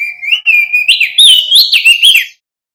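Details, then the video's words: Male mountain white-eye, crested form native to West Nusa Tenggara, singing loud and clear: a continuous warbling whistle that wavers upward, then breaks into quicker, higher slurred notes, roughly two seconds of unbroken song. "Suara asli burung Opior jambul jantan GACOR"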